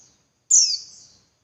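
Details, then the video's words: Single high, sharp downslurred chirp from a female Javan white-eye, used to provoke males into singing, its thin tail fading over about half a second. "Suara Burung Pleci Betina Buat Pancingan Pleci Jantan Biar Ngalas Lebih Ngotot"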